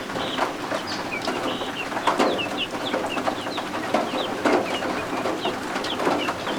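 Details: Baby guinea fowl keets under a warm heat lamp give a busy run of high, squeaky, downward-slurred peeps, several per second at times. Rain and thunderstorm ambience rumbles outside.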